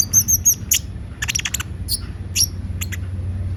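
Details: Actively singing Van Hasselt's sunbird: a few very high twittering notes, then scattered sharp clicks and chirps over a noticeable steady low hum.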